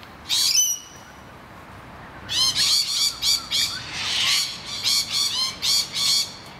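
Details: Rainbow lorikeets screaming as noisy miners attack their hollow. One shrill squawk with a thin trailing whistle opens, then a pause, then a fast run of rasping screeches, with a louder, denser burst midway.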